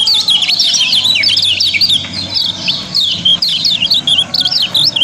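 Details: Kept yellow-bellied prinia from Lombok, sung as a lure for other birds: vigorous, high, wavering chirps and trills in tight repeated phrases, nearly continuous, over a soft low hum.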